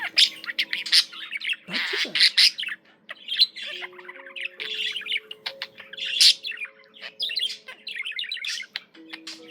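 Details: Loud, lively budgerigar warble: dense bursts of chirps, clicks and rasping squawks separated by brief pauses, including a harsh broad squawk around two seconds, with low steady tones faintly behind.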